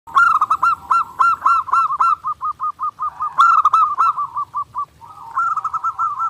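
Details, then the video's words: Zebra dove singing in a clear, lively, nonstop master recording made for daily training: rolling cooed phrases of quick staccato notes, each phrase ending in a rapid stutter, with short pauses between bursts. "SUARA PERKUTUT GACOR NONSTOP"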